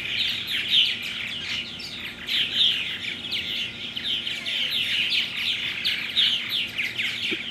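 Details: Purple martins, recorded 17 June 2009, chatter without a break: a dense overlapping mix of gurgling chirps and rich warbled notes from several birds, loudest in bursts every couple of seconds.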